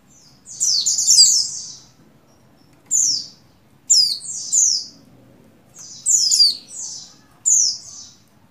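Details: Female buxtoni Oriental white-eye in breeding condition calls a male. High, sharp descending chirps come in five bursts, each fading into a short echo, against a quiet background.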